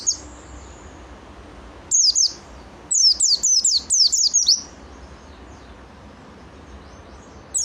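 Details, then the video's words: A burst of rapid, high-pitched falling whistles from a vigorous oriental white-eye, about seven notes in quick succession after a brief pair, then quiet. "KUMPULAN BURUNG PLECI NGALAS SAMPE BUKPAR GACOR"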